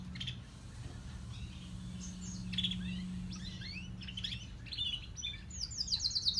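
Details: Softer, scattered canary notes from the grey and crested birds, chirps and brief buzzes, ending in a bright descending trill; steady low hum throughout.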